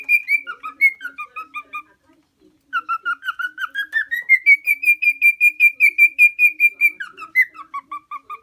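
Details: Tame male lutino cockatiel, four years old, from Osaka Prefecture, Japan, singing continuously: two-note whistled phrases, a short break, then a long rising run of regular whistles, ending with lower alternating two-tone notes.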